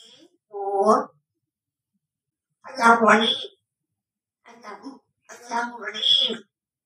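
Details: Cherry, a 4-year-old Congo African Grey Parrot, counting aloud in clear, human-like words, four short phrases spread over about six seconds in a quiet room.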